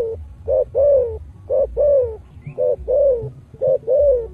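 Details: Deep-voiced spotted dove, 'giọng thổ' style song meant to rouse decoy doves: steady pairs of a short hoot and a drawn-out descending coo, about one pair per second, with low rumble beneath.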